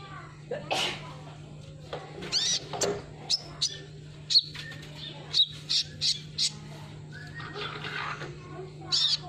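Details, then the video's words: Sunbird lure sound meant to make a silent kolibri ninja start singing: a busy run of high chirps and short thin whistled notes, irregular and rapid, with some scratchy notes and a constant low hum behind. "suara burung kolibri"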